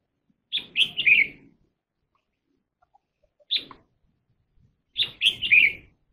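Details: Red-whiskered bulbul song in quick, bubbling phrases of three to four loud warbled notes, a short single note midway, then another full phrase; quiet surroundings.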